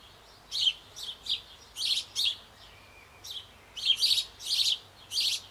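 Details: In a Bavarian birdhouse on an old apple tree, nestling sparrows near fledging clamour as both parents bring food. Nine or so buzzy, hoarse chirps arrive in uneven clusters, some doubled, some quick triples.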